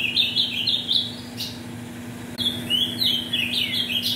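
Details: Ultramarine grosbeak (azulão), 'metralha' type bird from mutation parents, used to warm up birds for tournaments; rapid series of short falling whistles, then a second run of warbled sliding notes, over a constant low electrical hum.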